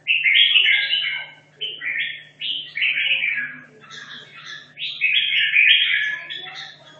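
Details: Caged red-whiskered bulbul from Hanoi, kept 2.5 years, practising for a singing competition: rich warbled phrases of slurred, rising and falling whistles in quick bursts separated by short pauses, over a steady low electrical hum.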